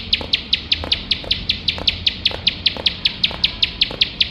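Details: Tutor recording of a bar-winged prinia for competition birds, singing without pause in nembak fashion: quick, shrill, evenly spaced chip notes, about five each second, over light background rumble.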